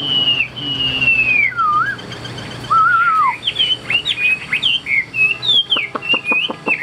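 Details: Caged hwamei, described as tame and a good singer, sings a loud varied song of clear whistled notes, long sliding and falling phrases, then quick rising and falling trills and short repeated notes, with faint background hum.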